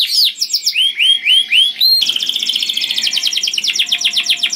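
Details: A canary sings loud, melodious song used to lure other canaries: about eight rising whistled notes in a steady series, followed by a fast dense rolling trill.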